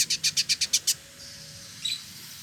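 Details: Male trotol, the village indigobird, from Bandung, West Java, Indonesia, gives a rapid run of seven high, bright, ticking notes, then a pause and one faint thin whistle.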